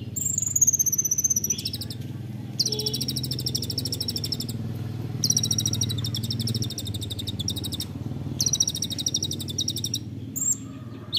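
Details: Masteran training recording of an olive-backed sunbird (kolibri ninja) singing the dense 'nembak rapat' style: long, very high, rapid buzzing trills in bursts of several seconds, separated by brief pauses, over low background rumble.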